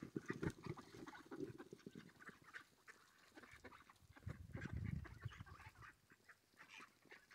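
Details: Mallards gathering to be fed, a dense jumble of low quacks and grunting calls from several ducks, with louder bursts near the start and again around the fifth second, over a steady background murmur.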